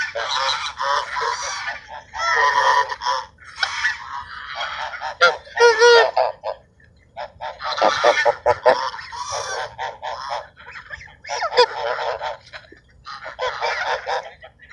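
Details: Ducks being fed by people at Sunset Park on 10-10-17 give bursts of harsh, nasal, harmonic calls in clustered runs with short silent gaps between groups; several birds call at once.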